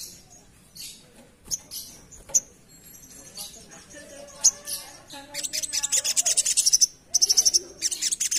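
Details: Asian pied starling singing lively 'ngerap' style for luring: scattered sharp clicks and notes at first, then the last three seconds burst into fast harsh chattering runs.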